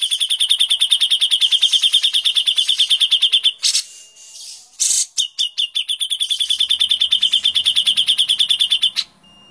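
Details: Master recording of white-rumped shama with dense, coarse tembakan delivery: long rapid trills of high ringing notes, interrupted by a couple of harsh buzzes, then another long fast trill.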